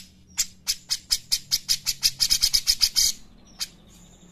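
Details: Grey-cheeked bulbul singing briskly, used as a lure and tutor recording: a steady series of loud, sharp, high chips that speed up for about three seconds, followed by a thin whistle.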